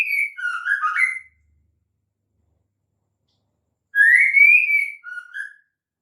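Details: Whistled calls of a female white-rumped shama, used to lure males into song. A warbled phrase opens the clip. After a silent gap comes a rising slurred whistle and a lower trailing note.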